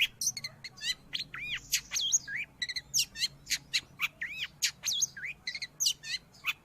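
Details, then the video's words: Long-tailed shrike singing, a recording meant for teaching pet birds or luring wild ones: steady stream of sharp high chips alternating with arched whistled slurs, roughly three to four notes each second, clean background. "Suara burung Cendet / pentet"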